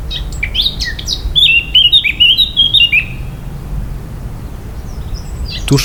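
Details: Eurasian blackcap (Sylvia atricapilla) song from Poland's forests: a few quiet scratchy chirps suddenly become a loud, clear, flute-like phrase of high, pearly whistled notes lasting about two seconds, a song novices often mistake for a nightingale's.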